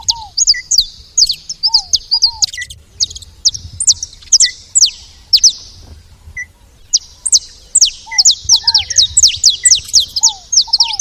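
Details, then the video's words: Saffron finches at a feeder: dense, rapid bursts of sharp, high, steeply falling chips, about two a second, with paired lower slurred notes dropping in now and then and a quiet pause midway. "Canário da terra fazendo barulho na seva"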